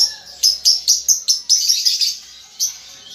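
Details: Juvenile lovebird learning its ngetik ngekek chatter, giving a rapid run of sharp, high, scratchy chirps about two per second, then a short gap and one more chirp.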